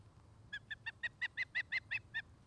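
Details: Osprey at its nest near Charlo, Montana, picked up by a nest camera in the afternoon, 2018: a run of ten short, clear, harmonic chirps, each slightly falling, spaced about a fifth of a second apart, over a low steady hum.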